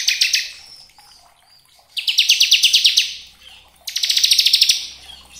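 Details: Bar-winged prinia used as a lure so other prinias start singing gacor: three bright bursts of fast, high, metallic chirping, about one second each, separated by near-silent gaps.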